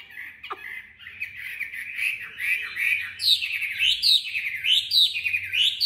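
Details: Tame Chinese hwamei kept in a cage, singing competitively: wavering, buzzy warbled notes, then louder looping whistled phrases rising and falling quickly in the second half.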